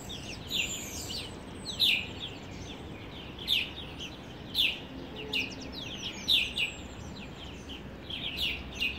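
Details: Birds in Addis Ababa, Ethiopia, chirping in the morning: sharp, high, tweeting notes in quick bursts at uneven intervals, several overlapping thinner chirps around them, over a soft background hiss.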